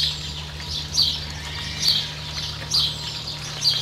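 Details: Four crisp, high piping notes from a Variable oystercatcher with a chick, New Zealand, evenly spaced nearly a second apart over a low steady hum.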